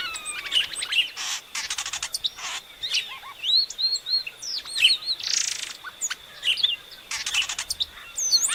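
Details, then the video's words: Epaulet oriole (Icterus cayanensis) sings a varied run of clear whistles, chirps and buzzy rattles, mostly high-pitched, in quick irregular bursts with brief pauses. "DESCUBRA o ENCANTO do Icterus cayanensis"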